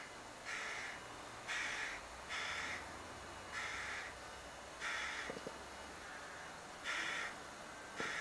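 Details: A young crow begs from a cherry tree beside a window, giving seven rasping, nasal caws at uneven gaps of roughly one to two seconds, with a few faint taps near the end.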